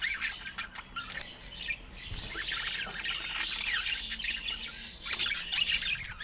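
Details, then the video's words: Quieter, steady chirping from budgerigars, said to be happy: a continuous mesh of rapid buzzy and squeaky notes that swells slightly toward the end. "Phoenix Golden Hour Budgies 🔥 Stunning Feather Colors & Happy Chirping Sounds"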